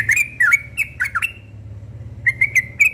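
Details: Yellow-vented bulbul in the morning giving quick gurgling whistles, a brief pause, then four short clear rising notes, with a faint low hum underneath.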